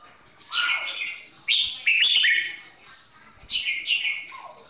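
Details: Red-whiskered bulbul with a 'golden voice' singing slowly and clearly: a falling whistle followed by several bright, chirpy warbled phrases in quick succession, then a final descending note.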